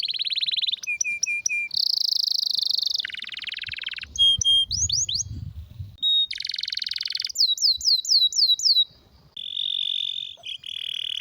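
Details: Rare, forceful canary song for tutoring: a rolling trill, paired short whistles, a loud buzzy phrase, falling sweeps, a row of descending slurs, and closing steady rolls, with some low background rumble midway.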